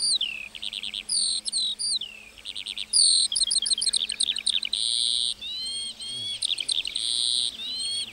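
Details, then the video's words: A lark sings over a meadow in a fast, varied outpouring of high notes: clipped chirps, descending slurs, buzzy bursts and a few long upward-curving whistles near the end. "Singing lark in the meadow"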